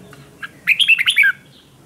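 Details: Captive red-whiskered bulbul in Vietnam, recorded for morning song training in the competitive 'ché' fighting style. A short burst of loud, clear warbled notes dips and rises. Faint low hum sits underneath.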